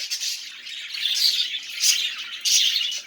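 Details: Budgerigar warbling in bursts of dense, scratchy high chatter, with three louder swells near one, two and two and a half seconds and brief dips between them.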